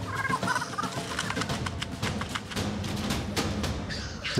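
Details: Black grouse males in spring at their traditional lek in a large Bohemian Forest wetland, displaying to impress females and fighting for dominance, give a continuous low, bubbling rookoo with harsher hissing notes over it; faint music may sit underneath.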